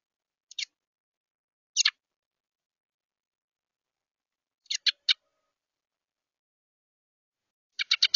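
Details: Juvenile Carolina wren, excited and flapping at a bird feeder, captured by a feeder camera: short, high, scratchy chirps in small clusters of one to three, separated by long silent gaps, with the last burst a quick run of four notes.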